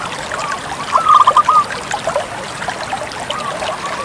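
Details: Single short phrase from a Bangkok-type zebra dove: a quick burst of five or six rapid, evenly spaced cooing notes lasting under a second, then only soft watery hiss and faint scattered sounds.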